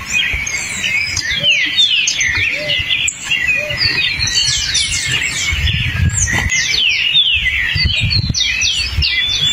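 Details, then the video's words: Hepatic tanager singing in the forest: busy run of short whistled, down-slurred phrases repeated in quick succession, with other birds calling in the background and low rumbling noise underneath. "O belíssimo sanhaço fogo e seu canto na mata!"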